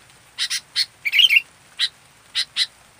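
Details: Active local kutilang (sooty-headed bulbul): harsh doubled chirps, then a rapid burst of jumbled, bubbly whistled notes, followed by more spaced raspy pairs.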